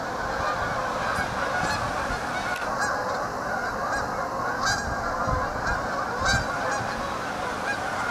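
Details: Many flocking geese call together in a dense, unbroken chorus of harsh honks, with louder individual honks standing out now and then over the crowd.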